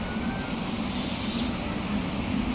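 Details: Barred Owl owlets hissing at full volume when a parent brought in food. A single drawn-out, high hiss lasts about a second over a steady low hum.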